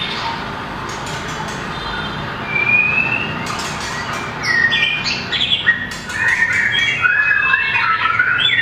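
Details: White-rumped shama, small and long-tailed, in competition singing with tail flicks and perch running: quiet start with a lone rising whistle, then clicks and a burst of loud, jumbled warbling phrases in the second half.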